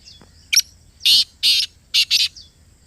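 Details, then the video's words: Black francolin, the kala teetar of Pakistan, calling close up: a short rasping note, then two long harsh grating notes and a quicker final pair, loud and buzzy against a quiet background. "Kala Teetar Ki Awaaz | Khamosh Teetar Bhi Bol Utha! 🐦 | Black Partridge Voice"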